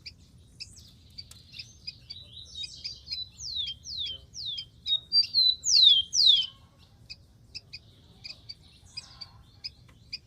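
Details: Wild rufous-collared sparrow singing: a run of six clear whistled notes, each sliding sharply downward, delivered in quick succession and loudest near the end. Soft ticking chips from other birds come before and after, over a low background rumble.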